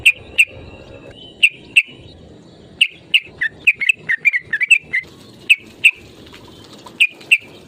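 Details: Sooty-headed bulbul lure call to provoke rivals: sharp, bright single and paired notes at irregular spacing, with a quicker cluster of descending notes in the middle and a faint steady whistle.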